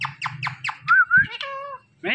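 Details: Indian ringneck parakeet talking: four quick descending squawky notes, then a smooth whistled arching tone and harmonic, voice-like syllables ending in a harsh burst, over a low steady hum.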